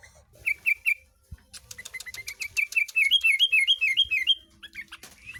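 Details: Tame cage-reared sooty-headed bulbul from Tegal, Indonesia, with shrike-imitating song: three clear whistled notes, a brief pause, then a long accelerating string of looping whistles climbing slightly in pitch, about three per second.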